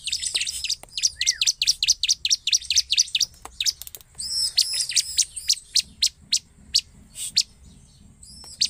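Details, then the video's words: Bar-winged prinia in song, used as a lure call to make other prinias respond, giving a rapid, high, scratchy chatter of sharp repeated notes, about four per second, with brief pauses between bursts. "suara pancingan ciblek gacor"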